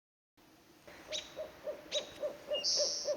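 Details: Barred Owl at a nesting family's site in spring on Vancouver Island, giving a quick, even run of low hooting notes, about four a second, with brief higher squeaky bursts on top.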